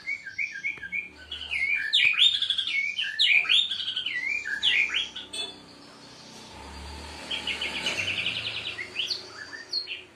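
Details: Young White-rumped Shama of the Aceh type, aged seven months, sings while bowing: fast jumbled whistled phrases, then a rapid rattling trill and a few rising whistles, over low background rumble.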